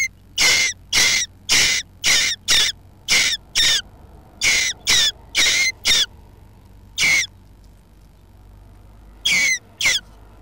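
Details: A western jackdaw nesting under a roof in hot weather gives about fourteen short, sharp 'tchack' calls at an uneven pace, sometimes in quick pairs, over a faint low hum.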